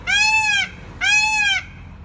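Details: Peafowl calling: two loud, nasal, harmonic-rich wailing notes, each about half a second long and slightly arched in pitch, spaced roughly a second apart against a quiet background.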